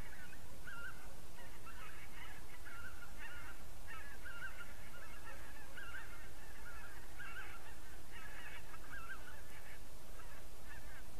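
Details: Geese honking at dusk on 3 October 2015, a flock giving a steady stream of overlapping nasal honks in clustered bursts about every second, with a continuous deep rumble of wind underneath.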